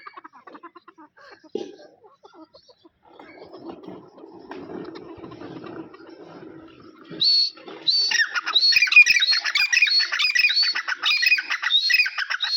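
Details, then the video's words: A low murmuring background gives way to grey francolins, a pair, breaking into loud, harsh, rapidly repeated calls with rising whistles. "Amazing pairs dahkhni teeter/ 20 minutes sounds dahkhni teeter."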